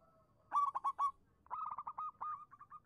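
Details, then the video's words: Local Zebra Dove song used as a fast-answer lure for doves that have stopped calling. A quick cluster of four low, rolling coos comes first, then a longer stuttering string of trilled notes that trails off into softer hooked coos. "suara burung perkutut lokal manggung pancingan cepat nyaut untuk perkutut macet bunyi"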